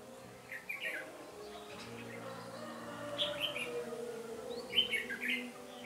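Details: Decoy red-whiskered bulbul singing during trapping to provoke rivals, recorded 13 January 2017; several short burbling whistled phrases, the last the loudest, over a constant low hum.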